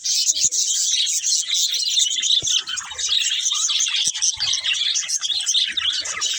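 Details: Several budgies chirp in unison, a dense high warbling chatter with quick squeaky notes that carries on without a break.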